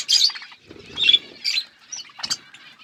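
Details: Budgerigars in a flock giving scattered bright chirps and short chattering bursts separated by quiet gaps, with faint soft rustling below.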